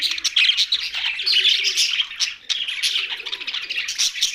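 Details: Chirping from a young budgerigar: loud, high, rapid tweets and rasping chatter pour out continuously, dipping briefly halfway through before picking up again.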